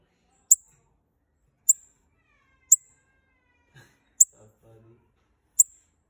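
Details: Bananaquit, one of a calling pair used to fire up other birds, gives five thin, very high, sharp ticks about a second apart, with faint low murmurs behind.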